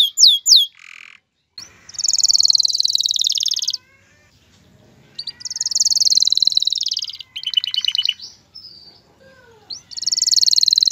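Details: Male canary song aimed at getting a female ready to mate and build a nest; bursts of dense buzzy trills separated by pauses, with short staccato rattles and a few soft whistles between.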